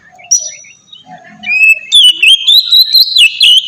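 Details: Oriental magpie-robin song used as a lure for captive birds: quiet scattered notes first, then from two seconds a loud sustained whistled phrase with rapid pulsed clicks.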